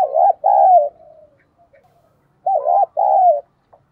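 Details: A decoy spotted dove gives its full calling song for wild doves: two phrases, each a short note then a longer coo that slides downward, separated by a second and a half of near silence.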